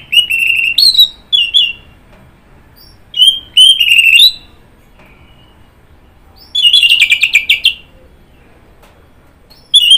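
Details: Orange-headed thrush (anis merah) singing loud, high whistled phrases mixed with scratchy, rapid chattering notes. The song comes in separate bursts with short silent pauses and ends with a long, dense stretch of twittering.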